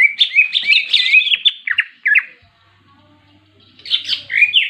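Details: Greater green leafbird in full ngentrok jenggrik fighting song to provoke others of its kind: two seconds of rich, rapid warbling, a near-silent pause, then another bright, twittering burst.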